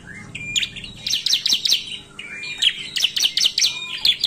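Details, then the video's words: Lure recording of a bar-winged prinia singing narung style: a thin whistled note, then rapid repeated high chirps with short gaps and a brief trilled phrase. "Ciblek gacor narung | pancingan ampuh ciblek suka ngetem"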